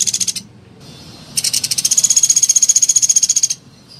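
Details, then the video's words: A tail end of one trill, then a full two-second burst of fast, sharp, high pulses from a rufous piculet, in a tutor recording played to encourage other piculets to call. "Masteran Pelatuk Beras Gacor Dorr Suara Jernih"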